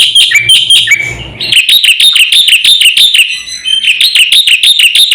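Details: Javan white starling master recording aimed at provoking birds: dense chattering song of shrill, clipped notes in a rapid stream, with a brief softer gap early on.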